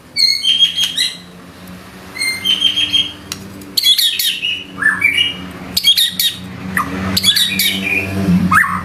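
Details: White-rumped shama in busy 'gacor' form firing 'isian' fill-ins: repeated bursts of high ringing notes and clicks interspersed with short downward-slurred whistles, over a constant low hum.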